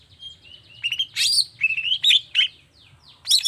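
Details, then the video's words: Long-tailed shrike singing 'toet toet' style to trigger singing in other shrikes: soft rising whistles build into loud buzzy rasps and sliding squeaky notes, with a short pause before a final harsh burst. "Suara Cendet Gacor Toet toet Efektif Anti Gagal Bikin Cendet Malas pun Langsung Nyaut Bunyi Seketika"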